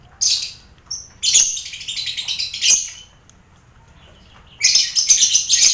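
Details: Busy colony cage holding lovebirds, finches and quail, a mental-training sound for contest lovebirds; loud bursts of shrill, grating chatter broken by a pause of more than a second with faint twitters.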